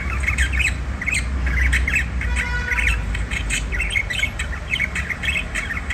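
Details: White diamond budgie squawking and chattering, harsh short notes in rapid clusters with a brief buzzy trill near the middle, over a steady low hum.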